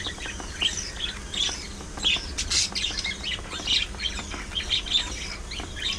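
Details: A flock of budgies keeps up a continuous high warble of quick chirps and scratchy squawks, with brief louder peaks every second or so.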